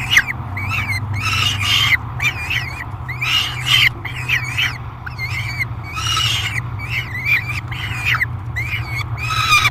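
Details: Peregrine falcon chick at a nest box, aggressive and noisy during feeding on July 3, 2021: harsh, wavering screams near two kilohertz, repeated in quick bursts about twice a second, over a steady low hum.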